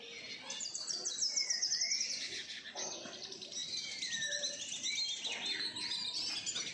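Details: Group of captive-bred siskins at home: fast high twittering with a quick trilled run early on, then overlapping chirps, wheezy notes and rising whistles from several birds.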